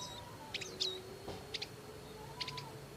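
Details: Bar-winged prinia parents tending their young in the wild: short, sharp high chirps in small clusters of two or three, spaced about a second apart, over a faint steady background hum.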